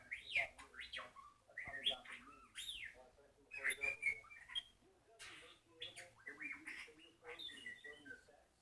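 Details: A pet bird named Little Jerry mimics R2-D2 with quick, warbling whistles that swoop up and down and burst into chirpy trills, repeated in short phrases.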